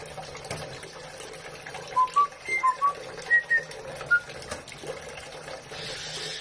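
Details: Pet white-bellied caique singing while bathing, circling around its water dish: a run of eight clear, short whistled notes stepping up and down in pitch, with faint splashing and room noise.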